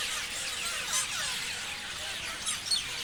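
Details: Parrot chirping fills the background: many faint, overlapping high squeaks and sliding chirps, broken by a couple of brief, sharper squeals.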